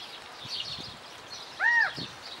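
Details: California quail calling in Wanganui, New Zealand: a single strong, arched, harmonic-rich note near the end, preceded by soft twittering of other birds and light rustling.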